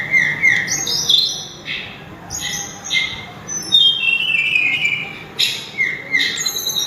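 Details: Loud, melodious song of a tledekan gunung (sulingan): bright whistled notes at varied pitches, some long and gliding down, others short and clipped, in lively irregular phrases.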